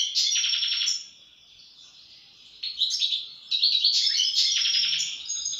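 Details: Goldfinch song, European: loud rattling trills and tinkling chirps, a quieter pause midway, then a renewed run of bright twittering phrases.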